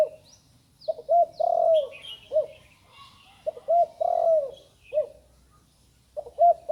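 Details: Recently learned cooing of a young spotted dove: low, mellow coo phrases of a couple of short notes leading into a long sliding coo, heard three times, with scattered high chirps from other birds in the background.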